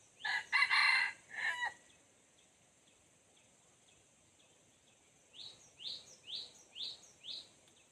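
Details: Crow of a red junglefowl during a lure session with a decoy bird, four rough bursts, followed by a steady high insect hum and a series of five short rising chirps from a small bird.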